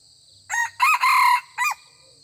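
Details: Red junglefowl rooster crowing at a decoy rooster in a season when the birds are not yet aggressive and only trade greetings. The crow is a loud, clear four-part phrase: a brief first note, two long strong notes, then a short clipped ending, over a constant high insect hum.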